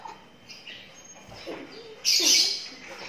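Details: Twelve-day-old lovebird chick: faint scratchy sounds, then one loud, hissing, raspy burst lasting about half a second.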